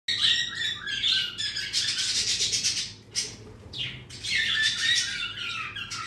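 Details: Budgerigars in the morning chatter in a steady stream of high, scratchy warbles and chirps.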